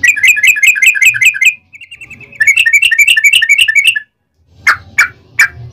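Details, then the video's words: Yellow-vented bulbul singing a long rapid 'ropel' sequence meant to provoke other bulbuls into singing: fast bright chirping phrases, a brief softer trill, renewed chatter, then pause and two sharp notes. "trucukan gacor ROPEL PANJANG pancingan trucukan agar bunyi"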